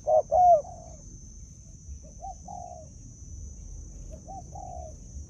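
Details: Spotted dove kept as a decoy for wild field birds: two loud opening coos give way to softer, fainter cooing phrases trailing off, with a faint persistent high whine.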